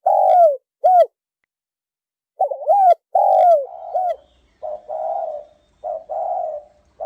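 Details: Lure-calling spotted dove without background noise: rounded, hollow coos in short bursts, the later phrases longer and more drawn-out, rolling into steady throaty coos near the end.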